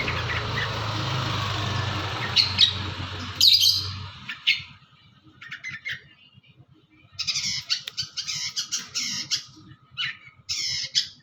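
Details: Long-tailed shrike from East Java giving gacor song full of isian phrases: after a few seconds of loud broadband noise, clusters of rapid, grating chatter notes come in short bursts separated by brief gaps.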